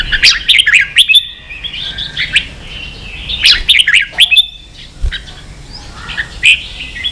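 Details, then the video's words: Ché-style singing of a red-whiskered bulbul, played to young birds in training: two loud clusters of chirps and slurred whistles, then softer scattered notes. "luyện chào mào ché.kích chào nào hót ché căng lửa"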